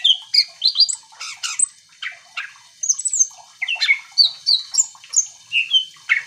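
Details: Singing greater green leafbird, used to make other leafbirds sing in response: a busy stream of high whistles, chattering notes and downslurred squeaks, about three notes each second, uneven in rhythm.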